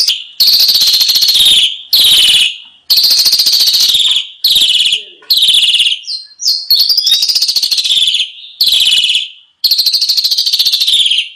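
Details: Asian pied starling training song for caged birds, described as rich in fillers: loud, harsh, chattering phrases lasting one to two seconds, repeated steadily with short gaps, with a rapid squeaky flourish in the middle.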